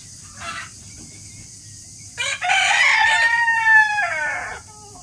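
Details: Rooster crowing: a brief faint call first, then a loud rasping cock-a-doodle-doo with a long drawn-out, slightly falling final note, over steady low hiss.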